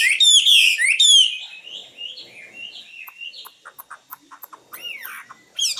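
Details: Common nightingale giving two loud, strident whistled phrases, followed by quieter drawn-out notes, scattered dry ticks and a final swooping note.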